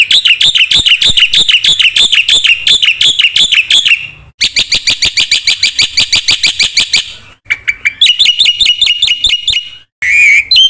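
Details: Loud, fast black-winged myna song used to coax other birds into singing: wavering repeated phrases, a buzzy rattling stretch, then higher trilled notes and a final whistle.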